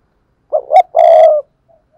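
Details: Spotted dove used as a decoy bird to provoke wild doves into cooing; low hooting coo of two short rising notes followed by one long, steady, slightly wavering coo lasting about half a second, clean background.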